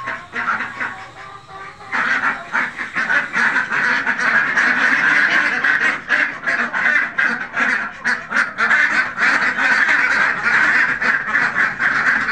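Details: Farmed Khaki Campbell ducks, a flock quacking together. Harsh, nasal quacks overlap almost constantly, quieter for the first two seconds, then loud and dense with uneven rhythm throughout.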